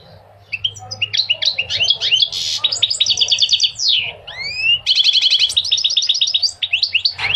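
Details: Goldfinch singing a long, energetic medley of rapid twitters, buzzy trills and sweeping slurred notes, broken by a brief pause near the middle, in a recording meant to stimulate males and teach young goldfinches.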